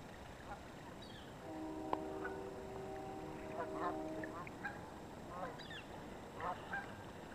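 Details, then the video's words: A chatty flock of geese on the Yakima River gives overlapping nasal honks, some rising, in an irregular stream, with several steady pure tones held for about three seconds in the middle. "Geese on the Yakima River"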